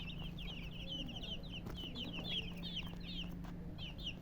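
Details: Colored chickens chirping: a dense run of short, high, rapidly repeated chirps, several overlapping, over a steady low mechanical hum.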